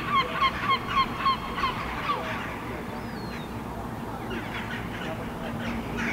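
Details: Herring gull fledgling and its parents standing on a rooftop in Helsinki, Finland, July 2015, vocalizing and gesturing: a run of seven short, nasal, harmonic calls evenly spaced about every third of a second, followed by fainter calling.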